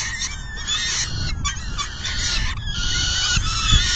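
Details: Peregrine falcons at a nest during a feeding on June 10, 2022, in the afternoon; rasping, strained calls come in quick overlapping bursts with short gaps, over low wind-like rumble.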